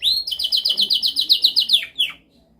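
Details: Domestic canary delivering a loud, rapid trill of evenly repeated bright notes for about two seconds, ending with a quick falling slur, then silence.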